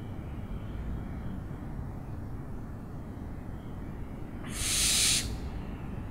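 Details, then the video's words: After several seconds of low rumbling background, a single harsh, hissing owl screech sounds for under a second near the end. "OWLS SOUNDS"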